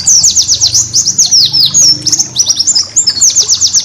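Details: White-eye master song used to train caged birds: an unbroken flurry of high, sharp downslurred chirps and twittering phrases, fast and jumbled throughout, faint low hum beneath.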